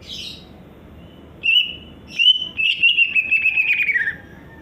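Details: Greater green leafbird song: a brief high chirp, then a sustained whistled note, followed by a long chattering, warbling phrase of quick repeated notes that slowly drops in pitch toward the end, with a faint low hum behind.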